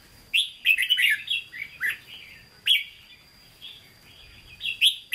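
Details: Caged red-whiskered bulbul with a Hue-style voice, singing in the 'hót ché' manner: bright warbled phrases in bursts, then a pause and short clear whistled notes, with a faint steady high tone throughout.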